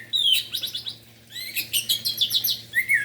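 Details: Orange-headed thrush singing vigorously (gacor) in the morning, a song used to rouse excitement and breeding urge in quiet thrushes: dense runs of bright whistled and chattering notes, rising slurs, two bursts with a short pause between.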